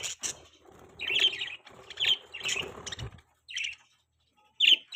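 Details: Budgerigars chirping and chattering, bright scratchy warbles mixed with a low clattering, rustling background and soft knocks, then a pause before a final sharp chirp.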